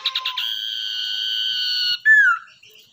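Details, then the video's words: Common iora kept as a lure after capture from the wild: quick stammering notes, a prolonged unwavering high whistle, then one loud note sliding downward. "Cipoh atau Sirdung Ekor Hitam Gacor buat Pancingan"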